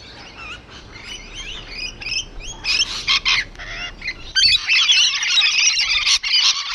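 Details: Rainbow lorikeets on a wall give wavering, slurred squeals, then burst into a loud, continuous harsh shrieking chorus for the last two seconds.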